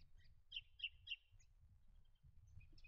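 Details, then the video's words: A spotted bowerbird gives three quick, harsh, rasping notes about a third of a second apart, then a fainter fourth, over a low rumbling background. "Spotted Bowerbird"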